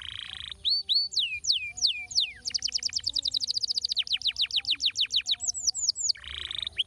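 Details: Canary singing to stimulate other canaries: a brief buzz, a series of clear descending whistled slurs, then a long fast rattling trill of sweeping notes and high whistled phrases ending in a dense buzzy roll.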